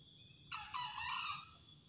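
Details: Wild green junglefowl rooster crowing at a spot beside a house where many males and females live: one short, harsh, hoarse crow in two parts, a brief rasp then a longer raspy phrase, over steady high insect buzzing.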